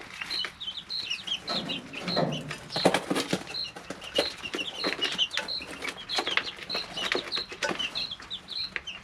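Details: Group of three-week-old chicks in their brooder: busy high peeping in runs and pairs, mixed with loud wing flutters, scratching litter and pecking taps.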